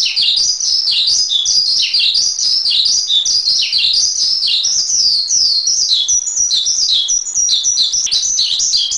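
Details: Javan pied starling masteran song, a long unbroken stream of sharp chirps and short slurred whistles, rising and falling rapidly, dense and loud throughout, with no background noise.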